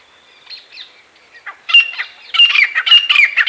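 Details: A pair of grey francolins calling from a tree branch in the early morning: soft chirps first, then a loud, harsh, high run of repeated ringing notes, several per second, building in intensity.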